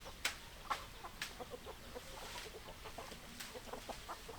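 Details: Chickens with hens clucking: short, sharp clucks about twice a second, several birds overlapping, over a steady hiss of background noise.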